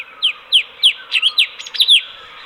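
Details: Caged sooty-headed bulbul kept as a master bird, singing a rapid run of sharp descending chirps, about three per second, closing with a tighter cluster of bright notes over faint background hiss.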